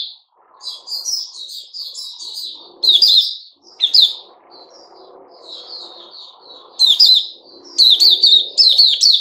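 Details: Sooty-headed bulbul, caged, 10 July 2021: scattered high chirps and warbled notes build to loud bursts of rapid twittering. A soft low background rumble runs throughout.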